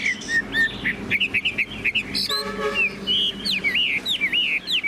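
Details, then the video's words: Tame cage-kept Chinese hwamei sings a series of loud looping whistled notes, interrupted briefly by a short buzzy harmonic sound, then resumes with clear up-and-down whistles. "Họa mi đẳng cấp, chim thuần, hót như 1 cái máy"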